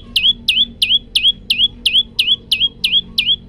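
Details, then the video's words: Male olive-backed tailorbird in full song, recorded on a Samsung phone: a steady run of sharp, high notes, each dropping then curling upward, repeated about three times a second over a soft low hum. "prenjak lumut gacor variasi tembakan panjang"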